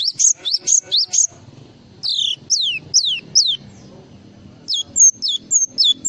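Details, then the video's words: Java sparrow singing a full, varied song: quick rising two-part whistled notes repeated rapidly, then a run of four sharply descending high whistles, then clipped high notes again, over a faint low murmur. "SUARA BURUNG GLATIK FULL ISIAN"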